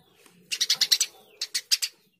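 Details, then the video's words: Eurasian tree sparrow singing energetically: six rapid bright chirps, a brief pause, then four more, over a faint background hum. "Masteran burung gereja gacor"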